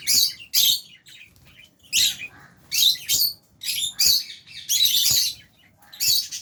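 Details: Lovebirds, albino and Fisher's, feeding in an aviary with budgies; sharp, shrill chirps repeated roughly every half second to second in loud rhythmic bursts.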